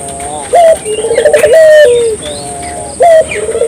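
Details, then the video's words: Barbary dove cooing vigorously to stimulate local doves: a clipped rising note, a rapid tremolo roll and a long falling tone, then the opening note again, with a few faint chirps and a steady high whine. "suara burung puter gacor,merangsang burung puter lokal ikut gacor"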